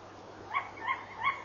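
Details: Tawny owl giving a bark call at night, 23:32, recorded by a fixed camera: three quick harsh nasal barks about a third of a second apart, rising in the middle, over a faint low hum.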